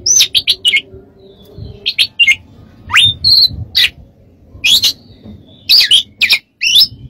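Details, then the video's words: Oriental magpie-robin song for training other birds, a lively stream of short chirps, upslurred whistles and scratchy bursts in quick sequence, with faint background hum. "MASTERAN KACER DAN TERAPI"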